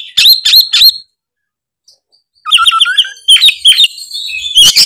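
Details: Oriental magpie-robin in full ngeplong song: three loud whistled notes, a second of silence, then a burst of quick chirps, rising whistles and sharp clear notes.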